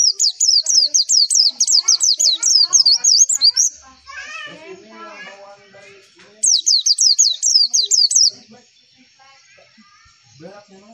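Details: Javan white-eye (pleci) lure song used to make white-eyes reply: long bursts of rapid high swooping notes, with children's voices and speech heard between the bursts.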